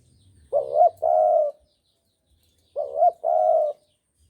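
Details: Javan spotted dove cooing as a trapping lure, two phrases each made of a quavering brief note and a longer, steady coo, separated by about a second of quiet.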